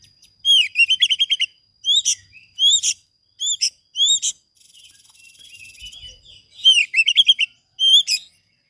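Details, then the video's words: Kacer (Oriental magpie-robin) song for training other birds: quick rolling series of upslurred whistled notes, then single loud rising whistles repeated about every second, a faint buzzy passage, and another fast whistled run to finish. "Masteran kacer gacor dor bongkar isian,pancingan TOP buat kacer macetmu"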